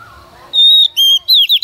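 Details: Female Oriental magpie-robin serving as a lure to encourage male song: a long pure steady whistle, a lower sustained note, then quick wavering whistled notes rising and falling, all loud and clear.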